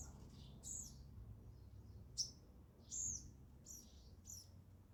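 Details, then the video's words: Sparrow at a feeder making soft, thin, high chirps, about six short notes spaced irregularly, against a constant low background hum. "sparrow sound effect | ચકલી ઘર | chaklino avaj"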